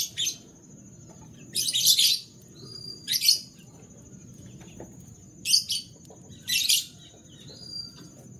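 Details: Canaries in the morning giving bursts of harsh, buzzy chirps in four clustered groups, each about half a second long, separated by pauses, over a steady high whine and low background hum.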